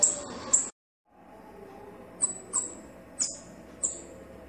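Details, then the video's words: Male and female Bananaquit singing: a couple of thin, very high squeaky notes, a brief silence, then four more sharp high chirps spaced about half a second apart over a low rumbling background. "CANTO DO SIBITE MACHO E FEMEA - CAMBACICA"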